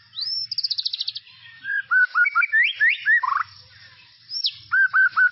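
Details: Singing white-rumped shama in tropical forest, master recording for juveniles: a rising whistle into a rapid buzzy trill, then clear repeated whistled notes with faint low rumble.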